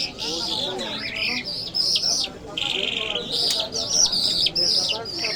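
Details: Lark of the Iranian Mashhadi jal type in excited song: loud, high, rapid warbled phrases with sharp whistles and buzzy trills, broken by short pauses, while faint voices murmur low underneath.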